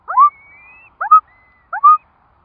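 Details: Curlew at a nest where four chicks have hatched, in Curlew Country: three short bursts of paired whistled notes, each with a faint, thin rising whistle trailing after it, on a quiet background.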